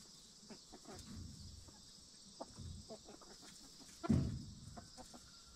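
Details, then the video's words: Backyard hens settling in their coop shortly before roosting at night give quiet, irregular low clucks throughout, with a louder dull knock about four seconds in, over a faint steady background hiss. "Backyard Chickens Relaxing Hen Sounds"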